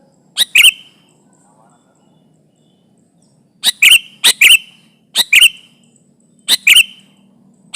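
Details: Sooty-headed bulbul in full chatty song, used as a trapping lure to press rival bulbuls. Short bubbly two-part phrases with bright chirps, given in bursts roughly every second, with pauses between groups and faint background hum.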